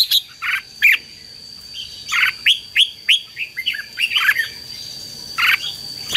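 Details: Red-whiskered bulbul 'chế' fighting song used to excite decoy birds and lure wild ones: sharp chirps followed by a rapid string of short, downward-slurred whistles, a pause, then a few more bright notes, with a steady high electronic tone behind.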